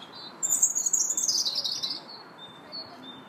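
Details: Park robin in March giving a rich, very high, tumbling warble that slides downward over about a second and a half, followed by softer thin whistled notes.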